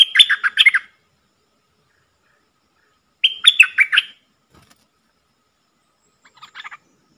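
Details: Bulbul decoy luring wild birds to fight sings two matching rich, gurgling phrases about three seconds apart, each roughly a second long, followed by a faint, scratchy chatter.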